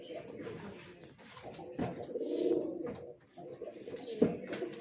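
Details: Pigeon giving a low, throaty, rolling coo that swells in the middle and fades. Shorter coo fragments come before and after it, with rustling, knocks and a constant faint high hum in the room.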